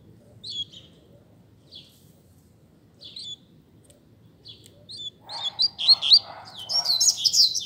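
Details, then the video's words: Captive double-collared seedeater in a singing contest against another bird: a few short high chips spaced about a second apart, then a rapid, buzzy, warbling burst of high notes over a low steady hum. "Coleiro Disputa de Canto"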